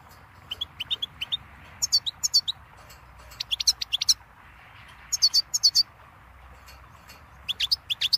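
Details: Goldfinch in lively twittering song, with rapid groups of sharp, high, ringing notes in bursts of four to six, separated by short pauses.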